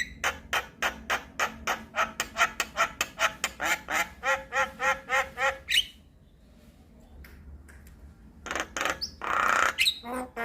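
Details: Javan myna song used as a tutor recording for training other mynas: a rapid run of harsh, stacked notes about three per second for six seconds, a pause, then scratchy squeaks and a loud rasping burst.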